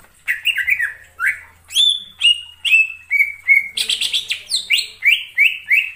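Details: Wild greater green leafbird in forest, delivering a rapid run of clear whistled and slurred notes, each dropping slightly in pitch, interspersed with a harsh rasping burst near the middle, with a faint low hum beneath.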